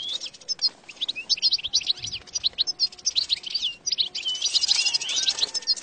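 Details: Song of the European goldfinch, used to attract and trap goldfinches: energetic high twittering with slurred chirps and tinkling notes, growing denser and brighter near the end.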